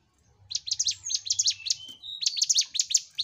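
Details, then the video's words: A Sunda bush warbler (mountain ciblek) sings fast bursts of sharp, high chirps, about six or seven a second, broken by a brief pause before the run resumes; faint low hum underneath. Used to stimulate other birds to sing. "Masteran CIBLEK GUNUNG (CIGUN) Gacor"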